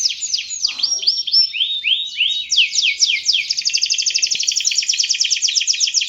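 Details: Canary song played to draw out other birds: a string of clear downward-swooping whistles followed by a rapid, steady trill of crisp high notes, about four per second early on, then quickening.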